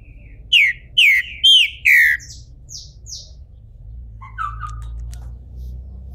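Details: In a Brazilian captive breeding setting, a bald Green-winged Saltator coming out of moult delivers four loud downslurred whistles, then a few quieter short notes and a lower soft phrase.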